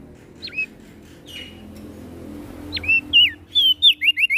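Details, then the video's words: Prinia (prenjak daun) of Lombok, NTB: a few faint swooping notes over low rumble, then a loud quickening run of high twisting whistled notes. "Prenjak Daun NTB Gacor PAgi SIang MAlam Tetap Rajin Bunyi"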